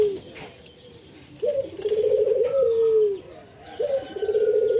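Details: Local zebra dove used to stir lazy doves into song: after a near-silent start, a long low purring trilled coo that drifts downward, followed by another rolling coo, over faint background hiss.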